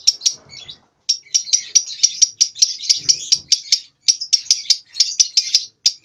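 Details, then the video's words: A roughly two-month-old lovebird in nyeklek style trying out ngekek: rapid shrill chirps stutter on in quick succession, broken by one short gap, phrases still brief. "LOVEBIRD PAUD Nyeklek Belajar Ngekek Latah Mewah"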